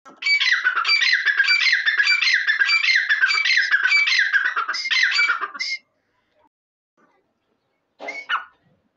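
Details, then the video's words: Grey francolin (Dakhni/Irani teeter) giving loud, harsh, ringing notes in a fast repeated series for about five seconds, then one more short burst after a pause. "Dakhni Teeter ki Awaz | Irani Teeter Voice| ایرانی تیتر کی آواز"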